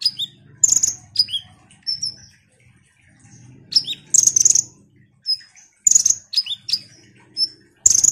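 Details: Ruby-cheeked sunbird: bursts of sharp, high chips and thin descending whistles separated by short pauses, with a low background hum.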